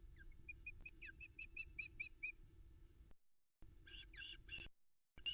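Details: Nest-camera recording from Loch Arkaig, Arkaig Community Forest, 13 July 2020: a female Osprey begging for fish as a chick feeds. A run of whistled chirps mixes with short downslurred squeals, against rustling and hum.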